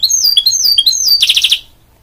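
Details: Song of a goldfinch mule, a hybrid of goldfinch and canary: quick high warbled notes, then a short harsh buzzy trill before falling silent.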